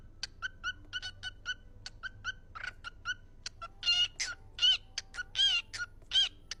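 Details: Parrot talking: a run of short clicking, chirping syllables followed by several longer buzzy spoken-word bursts, repeated every half second or so.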